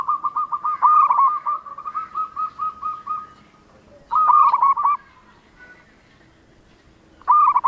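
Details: Local zebra dove in full voice. A rapid string of short, evenly pitched cooing notes runs for several seconds, then trails off. Two loud, stuttering cooing phrases follow, about three seconds apart.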